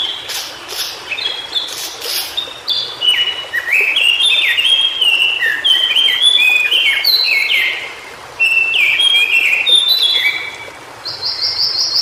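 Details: Song of a white-browed shortwing (cingcoang biru) recorded in its native habitat: a long, rich run of rapid whistled notes jumping up and down in pitch, with a brief pause midway and a high repeated note at the end.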